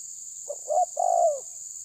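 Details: One full phrase from a spotted dove pressing a rival: soft short notes, a rising note, then a long, loud coo sliding down, over a constant high hiss.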